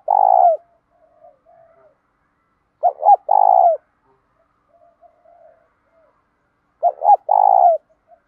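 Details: Spotted dove used for training and provoking others, cooing in three phrases about three seconds apart, each a quick pair of short coos and a long, slightly falling, purring coo, with soft faint notes between.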